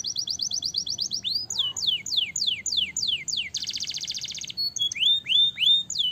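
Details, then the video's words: Canary song for prompting young birds to sing soon with extended rolls; quick repeated high notes, a run of descending whistles, a one-second buzzy trill, then rising upslurred whistles. "Ampuh merangsang kenari bahan cepat bunyi dan ngeroll panjang"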